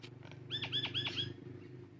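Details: Myna singing: four loud, quick notes, each sliding sharply down from high to low, spaced about a quarter second apart, with a low steady hum underneath.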